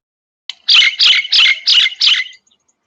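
A myna gives five harsh, raspy high-pitched notes in quick succession, roughly three per second, then stops; nothing else is heard.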